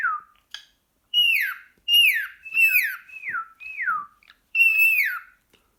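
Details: Male pet cockatiel excitedly 'talking' to a sock: clear whistled notes that swoop downward one after another, six or so in sequence, each bright at the start and falling in pitch, with short gaps between.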